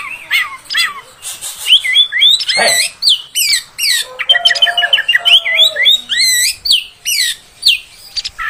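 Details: Female oriental magpie-robin sound meant to make males agitated: a fast, varied stream of high looping whistles, sweeping slurs and harsh chattering notes with quick repeated trills and almost no pauses.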